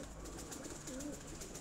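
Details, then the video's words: Male domestic pigeon of a pair calling in a rooftop loft with its female beside it: one low, soft, drawn-out coo near the middle, half buried in dense hissing background noise. "ये बोल रहा है कबूतर। ये देखें"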